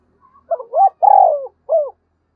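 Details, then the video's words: Spotted dove calling to challenge wild rivals. One full phrase: faint lead-in notes, a rising coo, a long vibrating descending coo and a short arched final note. Everything else is silent. "Chim cu gáy thúc bổi và gáy gọi bổi, tieng cu gay kich boi nhanh noi"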